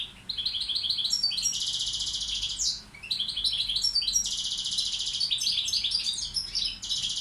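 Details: Tutor goldfinch of the Balkan form singing: short chattering notes build into long harsh buzzing trills, a brief pause, then the pattern repeats with twitters.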